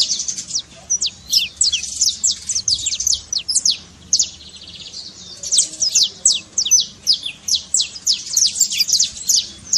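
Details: Saffron finch trincado for stirring a silent canary: two rapid bursts of shrill, sharply descending high notes, separated by a quieter pause around the middle.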